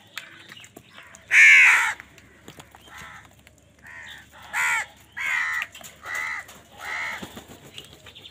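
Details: Angry crows contesting food with wild birds give one very loud, rasping caw, then a run of six shorter harsh caws spaced under a second apart.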